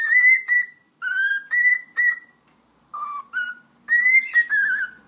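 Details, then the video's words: Pet cockatiel giving a whistle display, loud clear tones with bright overtones: long level whistles in rapid sequence, a low-high note pair midway, then a final sustained phrase that wavers and falls. "Sultan Papağanı Konuşması - Eşek Sıpası Diyor"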